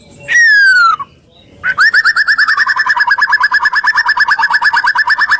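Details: White-rumped shama (murai batu) singing energetically, used as a lure to provoke other shamas into singing: one long descending whistle, a short pause, then a fast rattling series of rapid, evenly repeated notes.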